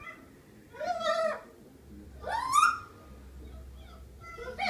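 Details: Vocal pet Miligold macaw: drawn-out, grating squawks, one falling and one rising with a trailing tone, followed by the start of another call.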